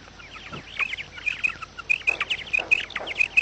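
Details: Quail calls recorded as a lure for trapping: a rapid run of short, high, slurred chirps, about four per second, with fainter harsh calls underneath.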